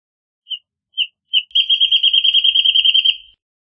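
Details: Wrentit (Chamaea fasciata) song: three separate high whistled notes with short gaps, then a fast, even trill of about twenty notes lasting nearly two seconds, like a bouncing ball speeding up; no other sounds.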